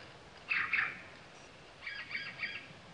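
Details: Male Sultan tit (Melanochlora sultanea) at Latpanchar near Siliguri, Darjiling, West Bengal, India, in February: a harsh doubled burst of notes, then a quieter run of three repeated chattering notes, over a soft hiss.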